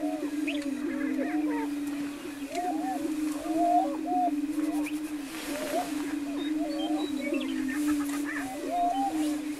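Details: Greater prairie-chicken lek near Wray, Colorado, April 17, 2011: an even, low booming drone lasts the whole time, while numerous birds add brief arched whoops and cackles at a steady pace.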